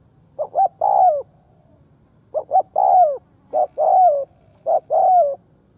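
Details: Spotted dove used as a ground decoy to lure wild doves, cooing in repeated phrases: two short quick notes, then a long, falling, hoarse coo, each phrase about two seconds apart, over a faint low hum.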